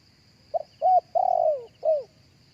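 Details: Live cooing of a spotted dove, recorded for playback through a speaker to lure other doves: one phrase of four mellow notes, a short clipped coo, a rising coo, a long drawn falling croon, then a final falling coo, over a faint steady insect hum.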